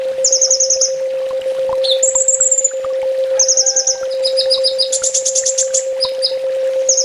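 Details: Sunbird training master song: varied high trills, a long whistled slur, then a dense burst of stacked rapid notes, over a constant low electrical hum.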